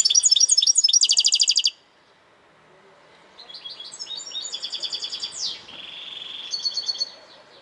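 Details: Goldfinch with a loud, rapid tinkling phrase, then softer, more distant-sounding twitters and a slurred descending note, steady low background hiss throughout.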